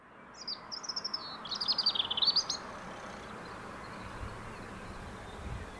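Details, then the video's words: European robin singing at sunset: a brief high phrase of thin whistles followed by a quick tumbling run of sweet trilled notes lasting about a second, then quiet, over a steady low background rumble. "Rouge-gorge chantant au soleil couchant"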